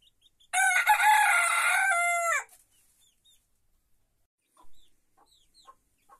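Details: Small rooster in a henhouse crowing once: a loud, harmonic-rich crow of about two seconds, rough at the start, then a steady tone that drops at the end. Faint chirps and soft clucks follow in a quiet background.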